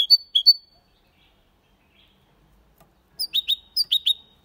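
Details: Hybrid goldfinch crossed with canary, singing Malaga-style: a short phrase of crisp chirps, about two and a half seconds of silence, then two more groups of paired bright notes.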